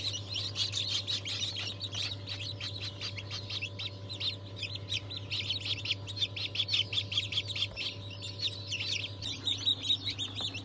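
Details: Mass of newly hatched chicks, mixed breeds including Ayam Cemani, Sultan, Cochin, Habesh, İspenç and Wyandotte, hatching day 22 January 2023; relentless high-pitched cheeping from many birds over a low electrical hum.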